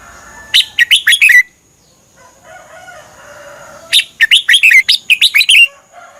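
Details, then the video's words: Caged Red-whiskered bulbul song from Thailand, played so other birds learn it or get excited: two rapid bursts of bright whistled notes rising and falling, each about a second long, separated by quiet warbling. "เสียงนกกรงหัวจุก สำหรับต่อ หรือ เปิดให้นกคึก เสียงเพราะๆ. นกกรงหัวจุก"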